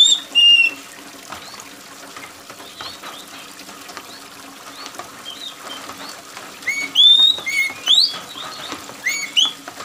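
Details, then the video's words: Oriental magpie-robin singing loud and shrill, gacor-style, to stimulate other birds. A brief whistle at the start, a long pause, then scattered sharp upslurred notes, all against a background of falling rain. "TERAPI KACER MALAS BUNYI || kacer mana yang gak ikut bunyi dengar kacer gacor + suara air hujan"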